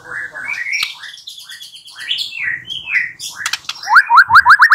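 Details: White-rumped shama song used as a lure to make a bird answer and sing: varied whistled phrases and harsh notes, ending in a fast series of rising upslurred whistles repeated about every quarter second.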